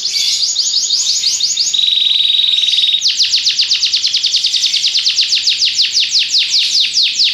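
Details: Belgian canary in full song: quick high trill, then a steady pure whistled note held about a second, followed by a long series of fast repeated downward-sweeping notes, loud and clean.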